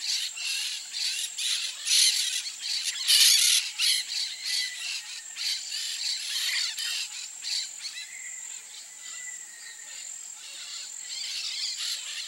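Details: Free-living peach-fronted parakeets (Eupsittula aurea) give harsh, scratchy screeches in quick, uneven bursts, about three a second, over a steady high hiss of insects.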